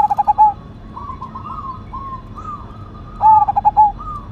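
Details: Zebra dove of the Cemani Majapahit strain, a perkutut, singing with a big voice. A loud stuttered phrase ends with a coo, softer rising-falling coos from other doves follow, and a second loud pulsed phrase closes the sequence.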